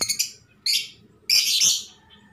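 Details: Female lovebird calling to the male to mate: three harsh, buzzy chirps, the last one longer and louder, separated by short pauses.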